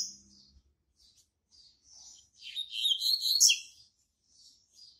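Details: Double-collared seedeater, a captive registered singer and tutor in a breeding stock. Soft scattered high chips lead into one loud, quick phrase of buzzy, trilled notes near the middle. Fainter chips follow, with a faint low hum at the start.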